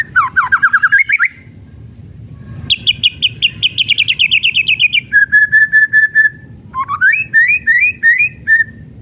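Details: White-rumped shama in kretekan style, used to stir other shamas into singing: a rising slurred phrase, then a long fast series of crackling high notes, steady mid whistles, and bouncing rising whistles repeated in quick succession.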